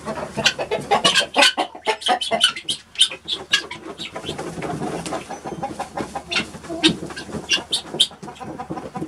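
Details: Guinea fowl dusting in peat moss bedding give harsh, grating calls in quick, uneven bursts, several birds chattering over one another.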